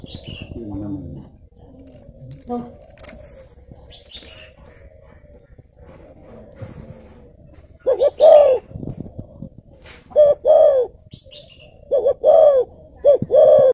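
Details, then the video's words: Spotted dove singing in the 'thổ bầu có lèo' style at a bird garden in Ba Vì, Vietnam: a quiet stretch with low murmuring and distant chirps, then loud hollow coos in short-long phrases over the last six seconds. "thổ bầu có lèo"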